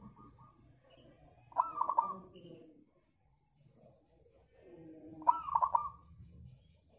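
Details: Local zebra dove, a lure recording to set other birds singing: two cooing phrases of a rising note and rapid rolled notes about four seconds apart, with low muffled background sounds.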